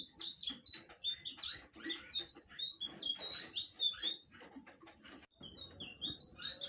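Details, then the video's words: Blue flycatcher pouring out a rapid, continuous warbling song of bright whistled and chirping notes, mostly high-pitched, with one short gap near the end before the warble resumes. "burung sikatan biru/Anis biru"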